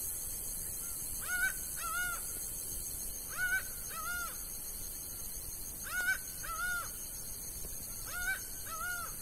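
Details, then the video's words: Laughing falcon in the sertão of Bahia, Brazil: paired hoarse, arched notes given in couplets roughly every two and a half seconds, over a steady high insect drone. "Canto Da Ave Acauã"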